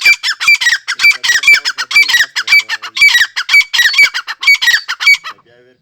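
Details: Francolin calling: a continuous stream of loud, harsh, rasping notes repeated rapidly for over five seconds, each burst with a high squeaky edge, ending abruptly in near silence.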